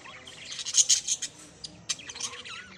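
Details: Parrots giving a cluster of loud, high, rasping chirps, a pause, then a few sharper squeaks and chattering notes.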